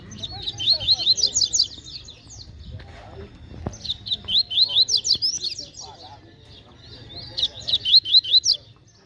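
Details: A fast, spirited Double-collared seedeater competing at a bird gathering repeats its song three times, each phrase a dense stream of rapid high twittering notes lasting over a second, with quieter chatter between phrases.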